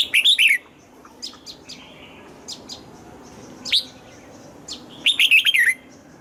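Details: Red-whiskered bulbul practising its morning song in the mature wild double-note style. A rapid warbled phrase opens, scattered thin chirps follow, and a second bright five-note whistled phrase closes after about five seconds.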